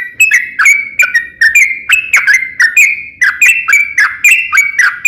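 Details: Sooty-headed bulbul, known locally as trucukan, singing a long chattering ropel song used to prompt other bulbuls to answer: rapid bubbly whistled notes around mid pitch, bursts roughly every half second, each note dipping then levelling, with sharp clicky upper overtones.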